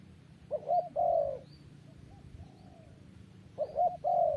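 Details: Two separate dove coo phrases, each a quick stuttered double note followed by a long drawn coo. They are split by a quiet gap of a couple of seconds with a fainter distant coo in between.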